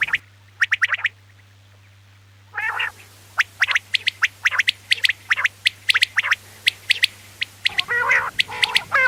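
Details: Female quail voice used for hunting in Pakistan: sharp, clipped chirps in quick uneven bursts, mixed with a few harsher buzzy notes, over a low steady hum.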